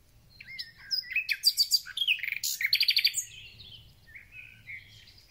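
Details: Thrush nightingale singing at the beginning of spring, with varied phrases: sliding whistles, then two runs of fast, hard, repeated notes, ending in softer high twitters.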